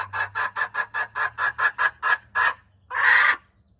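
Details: Hen crowing, January 21, 2025: around eleven rhythmic, raspy clucking pulses at a steady quick pace, then a short pause and one loud, drawn-out harsh note, with a low hum behind.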